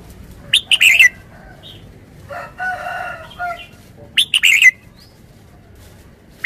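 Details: Thai caged red-whiskered bulbul used as a decoy: two lively, chirpy phrases of rapid bubbling notes, about three seconds apart. A longer, lower harmonic call intervenes, and a third phrase begins at the end.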